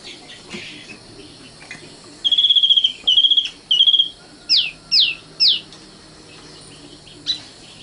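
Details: Common nightingale (sikatan londo) with three long, steady whistled notes, then three sharp upward-sweeping notes, each about half a second apart, and a last short note after a pause.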